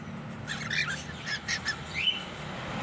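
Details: Pet cockatiel pair; a few short, harsh, scratchy squawks in quick succession, then one clear rising whistle near the end.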